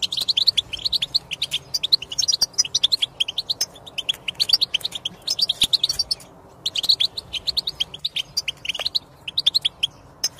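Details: Song of a European goldfinch, meant to coax silent goldfinches to sing: lively, rapid tinkling twitters in repeated bursts of a second or two, separated by brief gaps, over faint low background hum.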